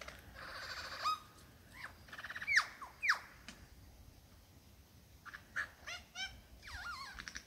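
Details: Courting male superb lyrebird in the Dandenongs showing off his repertoire of songs and sounds to a female; loud sharp descending whistles, buzzy rasping bursts and quick rattling trills separated by short pauses.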